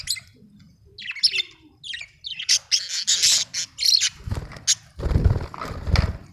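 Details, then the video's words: A budgerigar chirps in quick scratchy warbles that build into a dense, continuous chatter. Loud low rumbling thumps come through toward the end. "budgie chirping sound"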